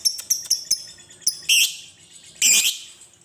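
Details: Lovebird chatter meant to lure other lovebirds into song: scattered sharp high ticks followed by two harsh screechy bursts.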